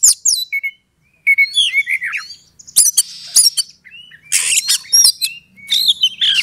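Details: Kacer (Oriental magpie-robin) in a rival-provoking song for fighting. Sweet descending whistles and warbled phrases alternate with harsh chatters and hissy blasts after a short pause.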